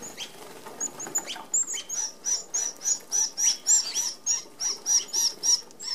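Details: Red-browed finches, native to Australia, feeding together at an open aviary feeder with 25 mm mesh: a steady series of short, piercing high notes about three per second, each paired with a whir of wingbeats.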